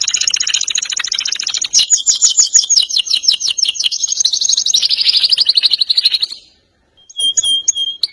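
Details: Canary singing energetically in rolling trills and sharp notes, called ngerol nembak: fast, dense, buzzy trills at about three pulses per second, shifting pitch over six seconds, then a pause and a few short high clear notes.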